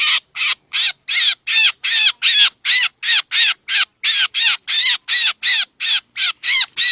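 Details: Trapping lure of a black drongo: a steady, even-paced string of about twenty scratchy, arched calls, close to three every second, clear and loud against silence.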